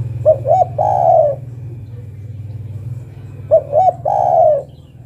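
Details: Spotted dove female calling a male, two phrases each made of two quick short coos and a longer falling coo, over a steady low hum.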